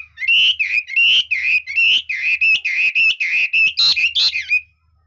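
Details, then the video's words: Red-whiskered bulbul delivering a high-quality song with varied phrasing: loud, mellow warbled whistles linked in a continuous flowing run, each phrase dipping and rising. "Chú mi cực hay, đảo giọng hót tốt hót rất đẳng cấp"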